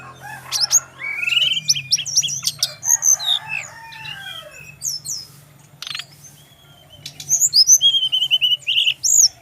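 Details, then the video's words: Brown-chested jungle flycatcher from Bali with a long varied song, said to provoke others to answer: rapid rising and falling whistles, chirps and slurred notes in bursts, a brief pause, then a renewed quick phrase. "SRDC laen langsung nyaut denger suara burung SIKATAN RIMBA INi"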